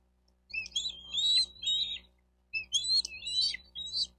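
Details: Two bursts of shrill, fluttering chirps and squeals, each about a second and a half long, from a Bald eagle at its nest in Miami-Dade County, Florida, 4 June 2023 near 12:35; nest-cam hum underneath.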